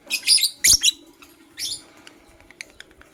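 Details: Blue opaline lovebird chirping in the morning: a quick cluster of loud, high, squeaky notes, one more short burst, then only faint soft ticks.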